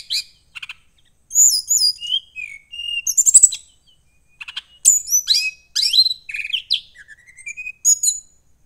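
Brown-chested jungle flycatcher singing bright, varied bursts of high whistles and quick chirps, with short pauses between phrases.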